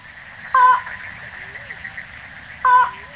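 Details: Slaty-legged crake in Tainan City, Taiwan, recorded 9 December 2019: two loud, harsh, nasal notes about two seconds apart, each followed by a faint, soft, low arched note, over steady background hiss.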